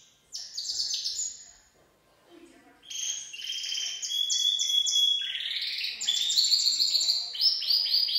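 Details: Full song of a Gloster canary: a short high whistled trill, a pause, then a long chain of rapid chopped trills and sweeping notes. The phrases change pitch every second or so, and the song grows louder toward the end.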